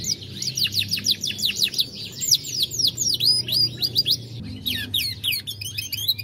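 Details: Gold Lizard canary of Dutch origin, 2020, in bold, richly varied song: a stream of quick descending high whistles and twitters, a brief pause, then sharper sweeping notes, with low background hum.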